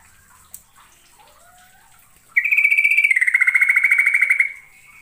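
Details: East Javan Yellow-vented bulbul (trucukan) singing on a lure recording: one sharp chip, then a loud sustained trill of fast repeated notes lasting about two seconds before fading.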